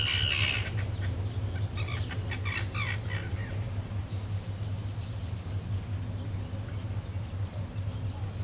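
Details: A common tern in Moscow gives harsh, grating calls in a quick burst over the first three seconds, then falls quiet, with a steady low hum throughout.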